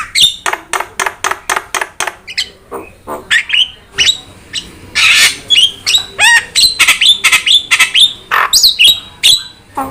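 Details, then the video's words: Jalak bird on a tutor recording for getting other birds to sing: rapid dry clicks at first, then varied scratchy notes, a loud hissing rasp and repeated upswept whistles, roughly two per second. "PANCINGAN DAN MASTERAN BURUNG JALAK"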